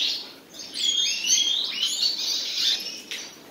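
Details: Quiet opening, then a pair of common nightingales breaks into clear slurred whistles, upward sweeps and quick chirps that run on for about two and a half seconds before fading.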